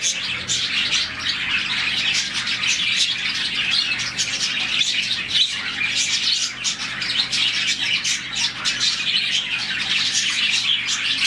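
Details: Morning chorus from around 40 budgies kept together in a colony, chirping when happy; a long, steady stream of bright, rapid twitters and clicks from many birds, barely pausing.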